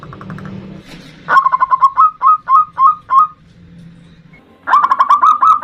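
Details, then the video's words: Lure recording of a local zebra dove, 'ndudut' variation style, for provoking a rival. A fast run of ringing coos, then slower separate notes, a quiet gap, and a final rapid stuttering phrase. "Perkutut Lokal GACOR suara VARIASI NDUDUT Ampuh memanggil Lawan EMOSI MANGGUNG PANCINGAN PERKUTUT"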